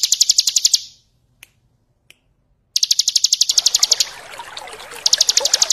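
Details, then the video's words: Bar-winged prinia in ngebren song style, used as a tutor recording for other birds, with trickling water: bursts of rapid, buzzy, high-pitched pulses repeated quickly, broken by a silent gap with a few clicks, then trickling water beneath the later bursts. "Masteran ciblek ngebren + gemercik air ,cocok buat masteran"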